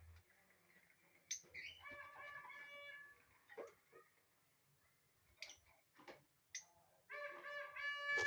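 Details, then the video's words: Colony of lovebirds giving nasal, harmonic chirps and drawn notes, with sharp high squeaks scattered between; a loud cluster of rich calls near the end, soft background hum. "Love birds chirping sound in colony"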